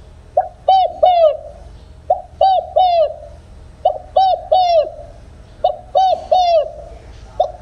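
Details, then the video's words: Field spotted dove singing its coo without the trailing end note, suited to trap loudspeakers: steady three-note phrases of rounded, down-curving coos, repeated about every one and a half seconds. "tiếng cu gáy đồng không hậu/ tiếng cu gáy kích bổi nhanh nổi/tiếng cu gáy đồng không hậu siêu kích/"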